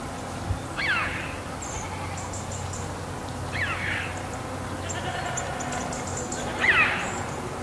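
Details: Red-billed chough giving three harsh, downward-sweeping calls spaced about three seconds apart, with faint high twittering from other birds and a steady low background rumble.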